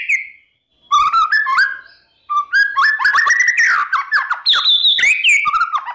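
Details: White-rumped shama singing loudly in the morning to goad rivals: rich fluty whistles jumping between low and high, mixed with fast chattering trills and clipped notes in dense phrases.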